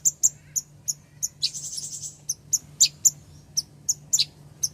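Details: A female ruby-cheeked sunbird calls for the male with piercing high chips at an uneven, quick pace, broken early by a short rushing trill; a soft low hum runs beneath.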